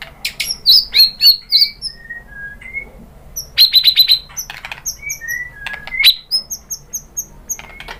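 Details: White-rumped shama lure song, female calling the male; high sharp chipping notes in fast rhythmic runs, interspersed with lower thin whistled slurs, repeated in two main bursts with clicks.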